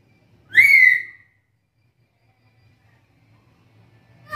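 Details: Single loud upswept whistle from a black-capped lory, dropping into a short fading tail, followed by quiet room hum and the start of another sound at the end.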